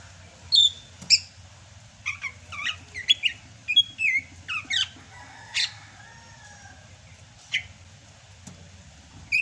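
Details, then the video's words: Greater green leafbird from Sumatra in full song in the rainy season, a kept bird: varied sharp chirps and quick whistled slurs in bursts, separated by pauses, with a few harsh clicks and a low hum. "MUSIM HUJAN CUCAK HIJAU SUMATRA MASIH BISA GACOR"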